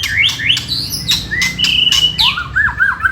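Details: White-rumped shama song played to provoke rival birds: loud rising and falling whistles broken by sharp clicks, ending in a quick series of lower looping notes.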